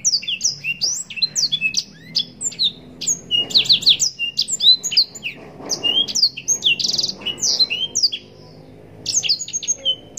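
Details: Long, vigorous song of the blackthroat, or yellow-rumped serin, recorded for training contest birds: ten seconds of crowded high whistles, sweeps and buzzy notes, with only a brief lull near eight seconds.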